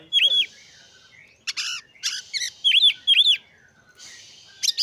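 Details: Oriental magpie-robin song meant to provoke others and boost their breeding drive: scattered bursts of whistled, down-up swooping notes and buzzy harsh phrases separated by pauses, with faint background hiss.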